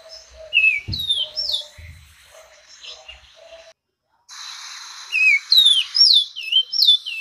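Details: Orange-crowned oriole song with slurred, rising and falling whistles, interrupted by a low thump and a brief silence, then resuming with higher looping whistles over a steady hiss.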